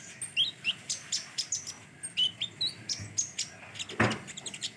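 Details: Common iora giving bright whistled notes that slide up and down, repeated at a quick, uneven pace, with one loud thump partway through.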